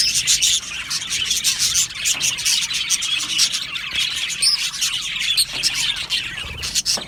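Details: Colony of Australian budgies in an aviary during breeding and mating, giving fast bright chirps and chattering warbles from many birds, one clearer whistled note standing out midway.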